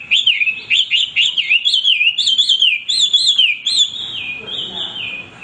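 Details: Continuous singing from a male hwamei, a bird kept for tutoring others: rich looping whistles rising and falling in quick rolling phrases, several loud trilled flourishes, fading into a softer drawn-out whistle.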